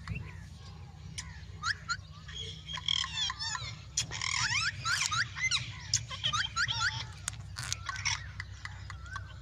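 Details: Green and white Indian ringneck parakeets giving a busy run of harsh, squawky calls with sharp rising and falling notes, some clipped and some drawn out. The calls overlap and are repeated throughout over a steady low hum.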